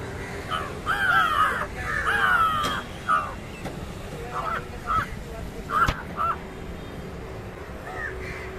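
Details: Indian jungle crow (Corvus culminatus), shown fighting and feeding on fish, gives two long, harsh, slightly falling caws, then a run of shorter clipped caws over a steady low background rumble.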